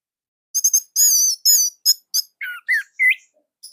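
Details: Orange-headed thrush from Indonesia, a master singer with a loud, tight and unusual song. A half-second pause, then quick bright notes with high ringing overtones, followed by lower whistled slurs and twisting notes, each burst separated by brief gaps.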